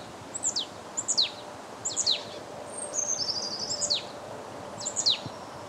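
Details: A Marsh Tit in Limousin on 8 February 2012, in winter during a cold wave from Russia, gives thin, high, sharply down-slurred notes about once a second, with a brief buzzy chatter midway, over faint background noise.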